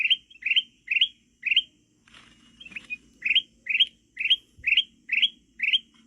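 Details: Sooty-headed bulbul song played for luring birds in the forest: short upward-slurred whistled notes repeated roughly twice per second, with a brief pause and faint rustling midway, a low hum underneath.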